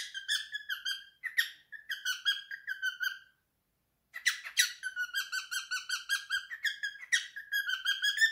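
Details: Three-year-old male cockatiel kept as a pet sings his favourite song in a small room. Quick repeated whistled notes are broken by a second-long silence midway, then the bright warbling resumes.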